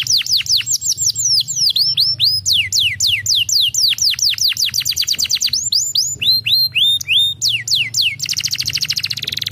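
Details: Canary song played to stimulate lazy canaries into singing: long series of rapid, sweeping, descending whistled notes in quick repeated tours, ending in a fast, dense trill, over a steady low hum.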